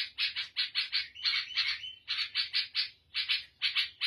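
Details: Lebanese or Syrian bulbul, the black-headed form, singing a fast chattering series of bright buzzy notes in short clustered bursts, phrases repeating about every half second with brief pauses between groups.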